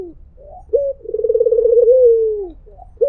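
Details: One full "mpuk jeruuu" phrase from a white Barbary dove, a short clipped note leading into a long burring coo that drifts downward, with the next clipped note beginning at the end.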